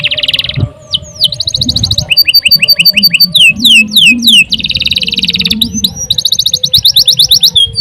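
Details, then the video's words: Canary in long gacor song: buzzy trills, quick stacked chips, downward-swept whistles and repeated dense rattles, with low background noise throughout. "CANARY GACOR PANJANG UNTUK MASTERAN LANGSUNG NYAUT"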